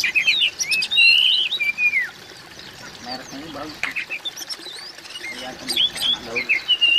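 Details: Oriental magpie-robin voice, used to overcome a silent magpie-robin: jumbled chirps and a long slurred descending whistle, a quieter stretch with soft low notes, then renewed rapid chirping and whistles.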